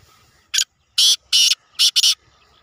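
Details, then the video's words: Black francolin (kala teetar) competition call: five loud, harsh, grating bursts packed into under two seconds, the middle notes longer and raspy, the last two given in quick succession, over a quiet background. "Black francolin Bird kala teetar Compitation Teetar Sound"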